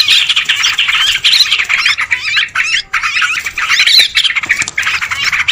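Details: Lure sound of many sooty-headed bulbuls calling at once: rapid squawking chatter in bursts separated by brief near-silent gaps.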